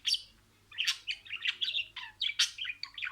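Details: Budgerigar speaking sequenced words: a sharp squeak, a pause, then bubbly scratchy chatter of short syllables packed closely together.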